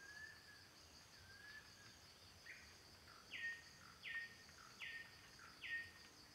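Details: Banded kingfisher in lowland forest giving a series of mellow whistles that grow louder, about one every 0.8 seconds, over a steady high insect drone; Banded kingfisher.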